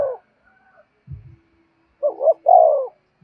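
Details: Spotted dove gáy gọi to call in wild doves: after a brief low thump, one phrase of two short hoots followed by a drawn-out, softly falling coo.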